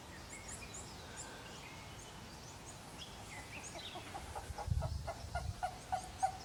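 A Purple-crested turaco gives a fast series of hoarse, cackling notes that build up in loudness. Small birds chirp high in the background over a low rumble.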